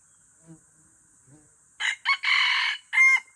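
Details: Crow of an Aceh junglefowl F1 hybrid. Faint low clucks come first, then a loud raspy phrase: two quick stabbing notes, a sustained strident note, and a short closing note.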